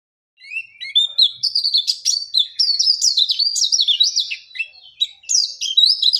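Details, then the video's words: Oriental white-eye starting to sing in full voice: a rapid, high, varied twittering warble of short slurred chirps and trills, dense and continuous after a brief silence, with no other clear sounds. "Burung Pleci OTW Gacor!"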